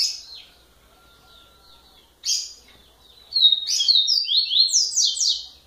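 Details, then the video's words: A Rusty-collared seedeater (coleiro) kept by an owner in Bahia sings. Two clipped high notes lead into a fast, ringing run of descending slurred whistles. The phrases repeat rapidly and clearly over a quiet background. "COLEIRO A BRONCA"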